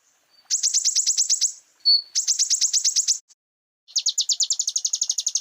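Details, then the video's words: Common iora song for cage-bird training: two fast trills of sharp, high chips broken by a short pure whistle, then a longer rapid series of slightly lower downslurred notes. "MASTERAN KONIN GACOR FULL ISIAN"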